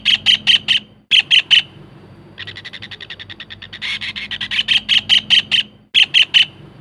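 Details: Collared kingfisher calling vigorously, played as a lure and tutor recording: short bursts of four loud, grating notes separated by pauses, then a fast soft rattle that swells into a long loud run of repeated harsh notes.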